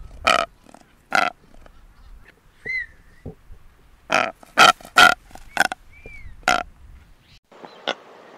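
Blue-footed Booby giving about a dozen harsh, honking bursts at an uneven pace, with a few thin, arched whistles slipped between them.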